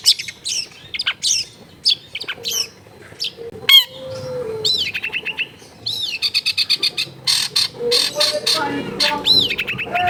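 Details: Long-tailed shrike song from a densely populated home neighbourhood. Varied whistles of sharp downslurs and upswept notes mix with rapid scratchy trills. Delivery is busy and changeable, with faint low household noise behind.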